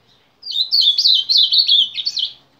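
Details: A Painted Bunting × Indigo Bunting hybrid, said to sing like both parent species, gives one quick, bright, warbling phrase of high, slurred notes lasting about two seconds, with a quiet room behind it.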